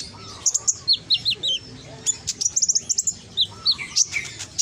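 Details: Scarlet-headed flowerpecker song from Gresik, East Java, used as a loud lure to stir lazy birds into answering: sharp, high chirps and short thin whistled notes in quick bursts, some dropping in pitch, with faint lower background sounds.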